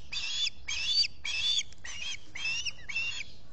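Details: Nesting osprey at Salt Point, Finger Lakes, US, in July, giving six loud, harsh, high squawks about every half second, each slightly wavering in pitch, against a faint low background rumble.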